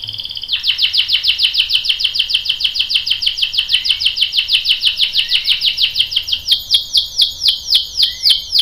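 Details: Caged canary in a lure recording aimed at making a male join in: a long run of fast, regular high downswept notes rolling on, slowing near the end into wider, ringing slurred notes.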